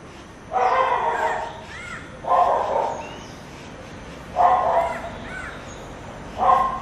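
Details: Greater racket-tailed drongo in Udupi, Karnataka, India, in July, mimicking a crow while watching carefully around: four harsh, crow-like caws about two seconds apart, with short looping whistled notes slipped in between.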